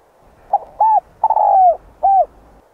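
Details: Morning call of a spotted dove beside a river, used as a lure for wild doves: one full cooing phrase, a short note, a rising-falling coo, a long slurred falling coo, then a final arched coo.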